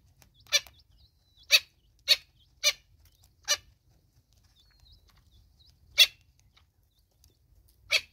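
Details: A Natal spurfowl mother with chicks in South Africa: a quick run of five harsh, rasping bursts, then a pause and two more, with faint high notes between them.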